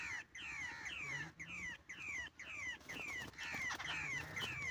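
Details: Babbler calls during net-trap bird hunting: a steady series of harsh, nasal notes, each sliding downward, roughly two per second. Several birds overlap toward the end above a low murmur of voices.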